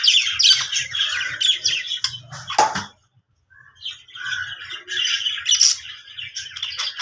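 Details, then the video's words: Budgie happy sounds: rapid scratchy chattering and chirps, broken by a loud click and a brief pause of silence, then the squeaky warbling resumes. "cute budgie making happy sounds"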